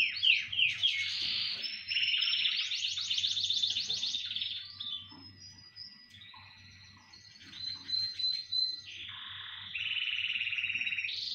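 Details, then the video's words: Chorus of canaries singing: long rolling trills changing pitch and speed in successive tours, buzzy and whistled sections, some pauses, over a low steady hum. "Хор канареек. Пение."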